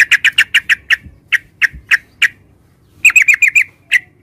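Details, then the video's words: Yellow-vented bulbul giving sharp, evenly spaced chirping notes, first fast then slowing, followed after a pause by a rapid burst of five bright notes and one final call. "Suara Burung Trucukan"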